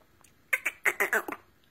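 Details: Sindhi black francolin (kala teetar) giving a quick harsh series of about six grating, rasping notes packed into under a second, against a quiet background.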